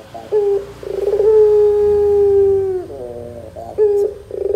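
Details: ['A long, smooth coo from a Barbary dove, preceded by a quick rolling note and followed by shorter stuttered coos, over a low background hum. Used as a lure to draw replies from young doves.']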